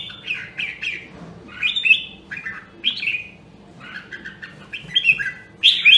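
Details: Nam Đông, Huë red-whiskered bulbul practising its song: clusters of two or three quick whistled, slurred notes repeated in bursts with short pauses between, ending on a louder bright phrase.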